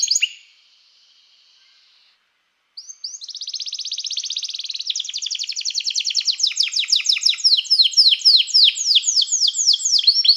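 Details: Canary tutoring song to call other canaries to sing: a short opening note, a pause, then a long, fast, even trill that speeds into repeated falling sweeps and grows louder.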